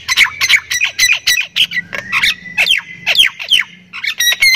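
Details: Javan myna (jalak kebo Thailand), a kept songbird with rich fill-in phrases: loud, rhythmic harsh squawks about three per second, each with a falling whistled slur, closing in a quick flurry of higher chattering notes.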